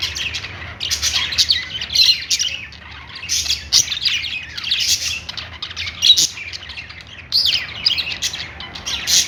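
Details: Happy Australian parrots, budgies, warbling and chirping: scratchy, buzzy phrases in clusters separated by short lulls, with thin whistled notes mixed in.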